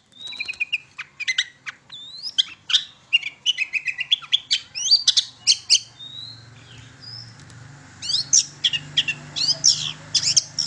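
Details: Long-tailed shrike singing energetically as a lure for young shrikes: a long, varied medley of chirps, whistled slurs and squeaks, becoming sparser midway before a final loud burst, with low humming behind.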